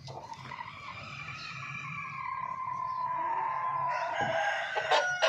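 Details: A Golden Misri rooster crowing one long, sustained, slightly falling note lasting about four seconds, ending in a harsher burst, with a quiet low hum behind.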